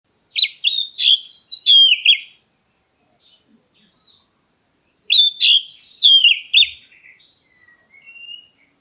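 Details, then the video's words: Black-breasted Oriental magpie-robin calling to prompt other birds to answer: two loud bursts of rapid, high, chattering and whistled notes with sharp downslurs, separated by about three seconds of near silence and a few soft notes. "KACER DADA HITAM MEMANGGIL, BURUNGMU LANGSUNG NYAUT!"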